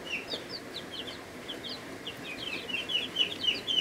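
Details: Chicks in their first week of life in a brooder, a mix of Ameraucanas, Buff Orpingtons, Rhode Island Reds, Barred Plymouth Rocks and Black Australorps, giving many overlapping short high peeps, some falling in pitch, in a continuous rapid chorus.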